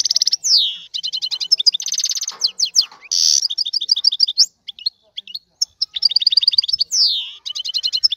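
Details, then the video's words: Aroused male European goldfinch song for stimulating a female to breed: continuous lively twittering, buzzy rasps, fast trilled phrases and occasional downward-sliding whistles, with only brief pauses. "اقوى تغريد الحسون لتحفيز انثى الحسون"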